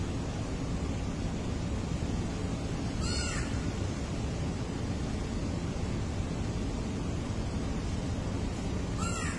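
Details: Crow giving two short, harsh caws about six seconds apart, heard over a loud, steady hiss of background noise.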